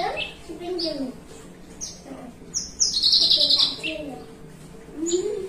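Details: Caged Javan bushlark (branjangan) sitting relaxed, singing in long phrases ('melung panjang'): scattered high chirps, then a loud rapid buzzy trill near the middle, with low human voices talking in the background.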